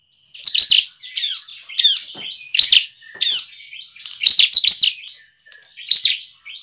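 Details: Bar-winged prinia (Prinia familiaris) song used as a lure to make other prinias sing: a fast, high, chattering song of buzzy chirps and trills in repeated bursts about every second.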